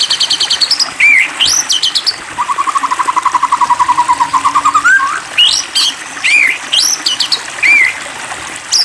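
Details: Provoked white-rumped shama song: high rapid chatters, a long evenly pulsed trill lasting about two and a half seconds, then looping whistles and bright chirps in separate phrases.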